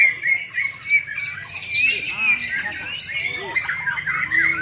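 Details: At a singing contest in Palembang, Indonesia, a white-rumped shama gives loud, fast trills, slurred whistles and scratchy high notes. Men's voices talk in the background throughout.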